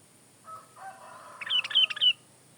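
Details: Sooty-headed bulbul, lively song for tutoring and luring: a low drawn-out crowing-like sound first, then three rapid bright whistled notes with falling slurs from the bulbul.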